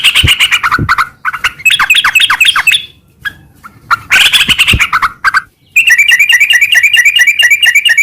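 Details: Yellow-vented bulbul (trucukan) in lively, continuous ngeropel-style chatter: bursts of buzzy, scratchy chirps and quick slurred notes with brief pauses, ending in a fast, steady run of repeated bright notes.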